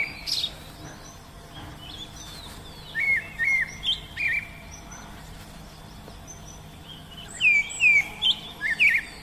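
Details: An Oriental magpie-robin sings in the wild: a varied series of clear, slurred whistles and short sweet notes in bursts, with a faint background hiss.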